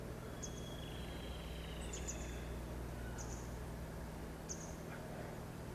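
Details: Citrine wagtail (Motacilla citreola), about 18 cm, filmed in Korea, gives short, high, thin call notes at irregular intervals of about one to two seconds, over a steady low rumble of wind or distant engine noise.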